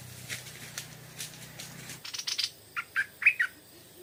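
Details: In the evening, a Stripe-throated bulbul answers a decoy bird with faint notes over a low hum, then a rapid chatter and four loud, clear, slurred whistles.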